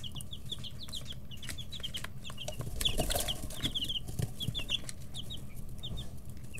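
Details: Chicks aged 11 to 13 days in an indoor brooder, pecking and feather-stretching, give rapid runs of thin high peeps throughout, joined by frequent clicks and a brief swell of rustling midway over a continuous low hum.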